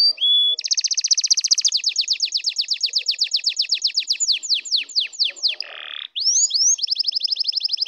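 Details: Canary song used to excite and prepare birds: rapid trills of descending high notes, roughly four per second, a brief rough buzz, then upward slurred whistles and another fast trill.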